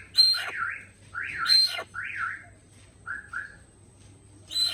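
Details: Little hornbill: loud calls that open with a high whistled note and sweep down into zigzag up-and-down notes, given in bursts with short pauses, plus a steady faint high whine in the background.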